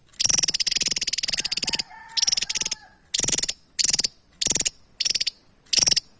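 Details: Javan tesia in full song: a long dry, rapid rattling trill of high ticking notes, followed by six short rattled bursts at roughly half-second gaps, with a faint lower whistled tone between them.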